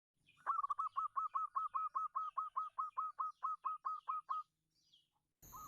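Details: Local zebra dove used as a lure call, a fast series of about seventeen short hooked whistled coos near one pitch, evenly spaced, ending in a brief burst of noise.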